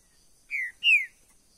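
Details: Caged trinca-ferro verdadeiro, the green-winged saltator, gives a short pair of whistled notes. The first is a level, fading note and the second a louder downward slur, with silence around them.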